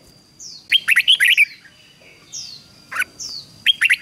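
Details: Red-whiskered bulbul in ché song for training bulbuls: a fast string of loud, bright chirps, then scattered notes including high downslurred whistles, and another rapid chirping burst at the end. A thin background hum continues.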